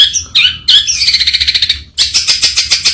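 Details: Long-tailed shrike sings a few nasal notes, then a rapid raspy stuttering trill, and ends with harsh buzzy pulses repeated several times a second.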